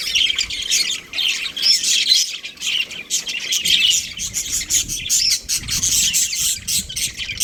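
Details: Breeding pair of budgerigars in nonstop chirping, high raspy chatter broken into quick pulses, occasional brighter squeaky notes standing out, faint low knocks in the background.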